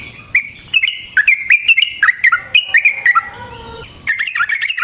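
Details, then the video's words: Yellow-vented bulbul in full fighting-style song, used as a lure for other bulbuls. Bright bubbly notes tumble in quick succession, then a softer falling run, then another rapid burst. "Burung TRUCUKAN GACOR Ropel Panjang Cocok untuk PANCINGAN Trucuk bahan dan MASTERAN Burung Trucukan"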